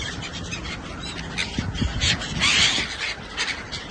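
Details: Gulls, seabirds over the ocean in Oman feeding from the sea, give harsh, squawking cries in a few bursts over a steady roar of wind or surf, with some low thumps.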